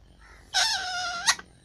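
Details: Talking parrot making one nasal, harmonic, voice-like call lasting under a second. It ends in a sharp click, with a person repeating "me too" close by.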